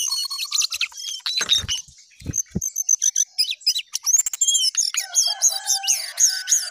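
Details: Jongkangan in spirited song, varied high chirps and whistles with a few low thuds early on, then a series of repeated upward-flicking whistled notes.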